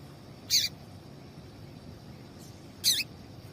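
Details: Female double-collared seedeater chip calls, aimed at getting males to sing: two separate high, harsh notes about two seconds apart, fairly soft against a low background hiss.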